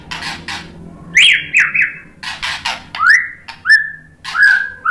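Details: White-rumped shama song meant to provoke an answer: raspy clicking notes at first, then several loud, slurred whistles, some rising and some falling, spaced roughly a second apart, with a faint low hum beneath.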